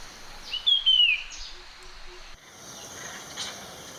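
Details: A Puff-throated Babbler (Pellorneum ruficeps) in a garden in western Thailand, a species that sings loudly especially in the morning, gives one clear whistled note sliding downward, followed by quiet with a soft background hiss.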